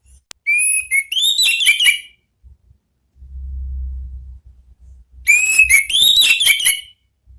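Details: Orange-headed thrush (anis merah) singing in the ngeplong style, used as a lure and therapy recording: two loud bursts of clear whistled, warbling phrases with rapid notes, separated by a pause with a low rumble.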